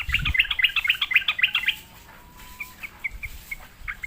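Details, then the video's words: Sooty-headed bulbul answering a lure, opening with a fast string of bright chattering chirps that fades into scattered, softer single notes. "sekali di pancing trucukan malas bunyi pasti Nyaut gacor"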